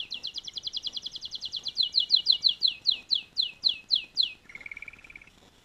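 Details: Singing canary: a rapid high trill slows into loud, separate downslurred notes, then drops into a softer, lower buzzy trill that fades out.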